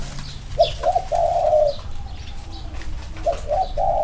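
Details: Two male spotted doves compared side by side in a cooing contest; low hollow coos in short phrases, a couple of brief notes then a longer drawn-out coo, repeated after a pause, faint chirps of other birds behind.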